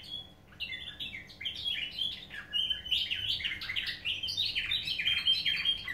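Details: Pet canaries singing in nightingale-style song: a continuous soft rolling warble of high trills and chattering tours, run together with little pause.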